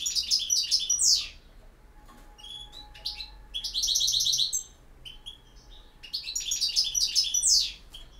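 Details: Campero song of a European goldfinch: twittered phrases with falling slurs, a pulsed buzzy trill in the middle, and a faint steady low tone in the background between phrases.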